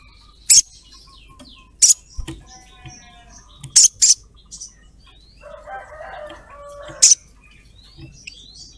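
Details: Female ruby-throated myzornis calling for a male, used as a lure. Piercing high chirps, some single and one doubled, are spaced several seconds apart, with faint softer twittering and a brief buzzy rasp between them.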